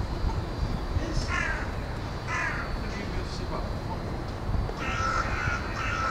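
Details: Carrion crows arrive to roost in University of Hull woodland on 20 February 2013 at 17:44, giving harsh, rasping caws in short bursts, roughly one every second or two, over a low rumble of wind or traffic.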